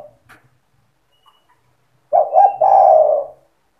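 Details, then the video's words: Spotted dove singing in the cetretan style, a song meant to provoke other doves into singing: after a quiet start, one low cooing phrase of two short notes runs into a longer, slightly falling coo. "Suara burung tekukur gacor cetretan bikin deruk tekukur derkuku balam lain emosi ikut bunyi"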